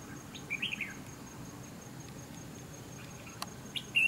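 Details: Red-whiskered Bulbul calling at a fighting trap beside decoy bird no. 279 while fanning its feathers; a brief sharp chirped phrase early on, then quiet, then another loud clipped note at the end, with a faint steady high whine throughout.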